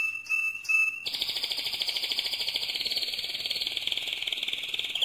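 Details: Mosaic canary song, loud: a few pure, clear whistled notes open, then a long, fast, buzzy rolling trill runs steadily for four seconds, dipping slightly in pitch near the end.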